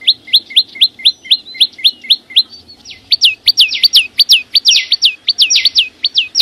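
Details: Flowerpecker song from the wild: a run of quick, high rising notes that speeds into a denser, busier phrase of sweeping upward and downward whistles in its second half, with no other sounds.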